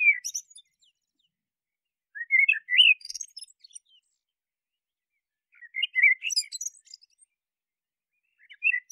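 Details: Common blackbird (Turdus merula) singing two separate phrases, each opening with mellow rising whistled notes and trailing into thin, high squeaky twitters, with pauses of a few seconds between.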